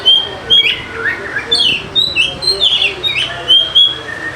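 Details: Lure song of an Oriental magpie-robin (kacer) for lazy singers: continuous string of whistled notes and slurred chirps, repeated briskly about every third of a second, varied in pitch.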